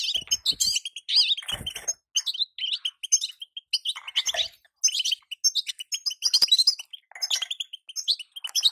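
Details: Female goldfinch call played to speed up singing in a moulting male goldfinch; quick, high, jingling chatter of repeated short notes and rolling trills, broken by brief gaps and a few low knocking sounds.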